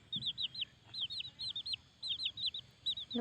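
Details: One of two Hmong chicken chicks, fostered by another hen, gives loud, high, arched peeps in quick bursts of three or four about every half second, crying from fear when no people are near; faint low cluck early on. In a chili garden near dusk.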